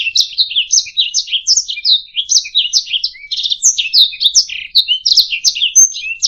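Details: Master recording of a singing canary meant for training songbirds: a brisk run of chirps and rattling trills, short downward slurs linked together, an occasional thin high whistle, steady and unbroken throughout, with no other sounds.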